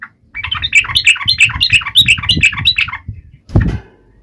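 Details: Yellow-vented bulbul taunting rivals with a run of quick, bubbly warbled notes over a low rumbling background, followed by a single dull thump.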